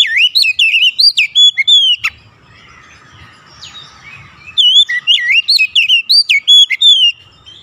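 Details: Kacer (Oriental magpie-robin) singing to lure other magpie-robins into song. Fast looping whistles and warbles open the clip. A pause filled with faint noise and distant chirps follows, then the bright whistled song resumes.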